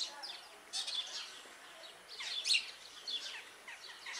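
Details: Superb starling calling: bursts of busy, chattering, squeaky notes at about 0.8, 2.5 and 3 seconds, with quieter twittering between them.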